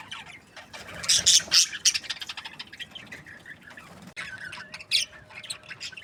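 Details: Budgerigar breeding pairs chirping happily: a loud run of rapid, scratchy high chatter with squeaky notes, fading into softer twittering, then a few more sharp chirps.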